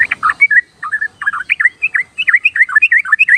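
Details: Yellow-vented bulbul, played as a basic lure for shy or wild-natured birds, gives a lively continuous chatter of short bubbly whistled notes, rising and falling, several per second, on a quiet background.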